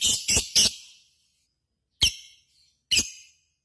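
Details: Lovebird giving its 'ngekek koekk' calls: three quick shrill, harsh squawks in a row, then two more single piercing squawks spaced about a second apart, with silence between them.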